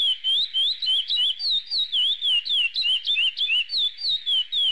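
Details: Chestnut-bellied seed finch (curió) sings the "praia" song type, a rich, continuous run of clear whistled notes rising and falling quickly, three or four phrases a second; remastered audio.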